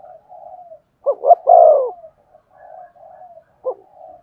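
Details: Spotted dove cooing to stimulate another dove's singing. Soft murmured cooing frames a single full phrase of two short notes and a long falling coo, with one more clipped note near the end.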